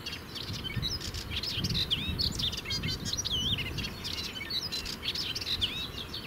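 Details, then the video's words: Melodious warbler singing in its territory in the Brenne, France, perched atop a shrub in the morning; quick jumbled phrases of sweet slurred whistles and chatters, briefly spaced, other birds faint in the background. "Heldere zang van een orpheusspotvogel"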